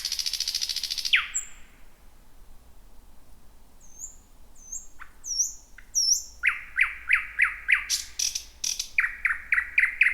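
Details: Thrush nightingale singing at night just before midnight in dense bushy thicket, first of the year: a loud rattling trill, a pause, then high whistled slurs leading into a fast series of sharp repeated clicking notes.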